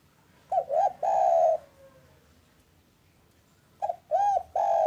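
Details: Spotted dove, local type, calling in the afternoon as a lure for doves that will not call. Two phrases of short arched coos followed by a long steady coo, separated by a quiet pause.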